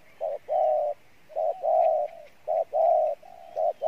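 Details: Spotted dove of the field type delivering its 'Bai Loi' style song: short low coo, then a long drawn hoarse coo, repeated in steady pairs about once a second, with a faint hiss behind.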